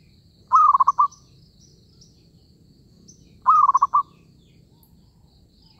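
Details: Two trilled coo phrases from a zebra dove in a trapping setting, roughly three seconds apart, each starting with a rising note and rolling into rapid pulses, with faint high chirping behind.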